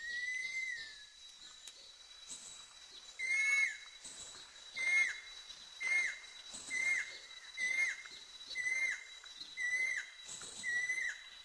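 A Banded Kingfisher gives a steady series of clear whistled notes, each sliding slightly, about one per second. A constant high insect whine and other faint birds sit behind it.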